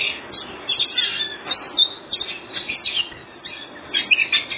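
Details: Ngobra-style singing by a white-rumped shama, intended to goad other birds into song; softer, scattered whistles and twittering phrases with gaps, set against a noticeable hiss.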